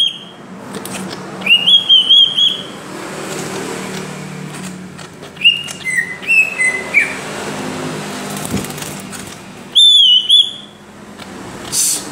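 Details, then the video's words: Greater green leafbird in ngentrok style, a reference song for training other birds: scattered short whistled phrases with pauses, some slurred downward, over faint background murmur, ending in a high bright burst. "CUCAK IJO GACOR NGENTROK ..!! COCOK BUAT MASTERAN"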